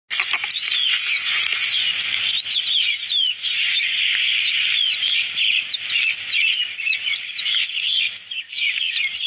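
Black partridge chicks give a dense chorus of high, thin peeping chirps, many overlapping and repeated rapidly throughout, with a steady background hiss.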